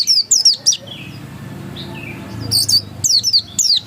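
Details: Pleci dakun white-eye in ngotot song: a few quick high descending chirps, a quiet gap of nearly two seconds with soft low hum, then another burst of sharp, thin notes.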